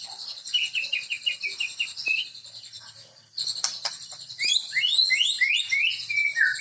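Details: White-rumped shama (murai) song: a string of quick repeated slurred whistles over a buzzy trill, a brief lull, then a bright run of rising upslurred whistles delivered rapidly.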